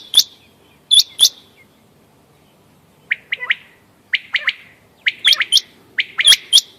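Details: Quail calls recorded 14 May 2025 for hunting: sparse pairs of thin, very high chirps, then clusters of quick two- and three-note whistles repeated about once a second.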